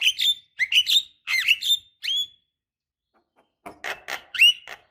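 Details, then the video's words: Female Javan myna calling to a male as a lure: clusters of harsh, chattering notes with upslurred whistles, then a brief pause and a rougher, buzzier burst. "suara pancingan jalak kebo"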